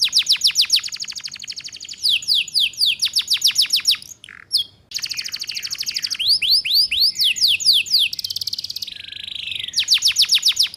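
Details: Canary song used to teach young canaries, long runs of rapid descending sweeps and rising whistled phrases, with buzzy trills between fast repeated series.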